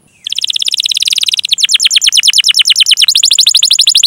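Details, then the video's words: Canary singing long rolled phrases to prompt other canaries: a dense buzzy trill breaking into rapid repeated downward chirps, continuous throughout. "Masteran Suara Burung Kenari Gacor Panjang cuit cuit Ngerol untuk Pancingan Kenari!"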